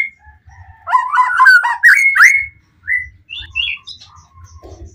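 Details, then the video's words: Excited White-rumped shama singing to bait other shamas into calling back; a burst of quick twisting whistles rising to a sharp peak, followed by scattered softer whistled notes and quieter chirps. "Murai Batu Pastol PTRK BF full emosi ... pancingan murai lain bakalan nyautt.."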